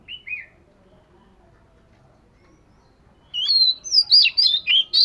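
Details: Oriental magpie-robin voice training: two soft whistled notes, a long pause of near silence, then a loud rush of varied whistles and twisting warbled phrases closing the passage.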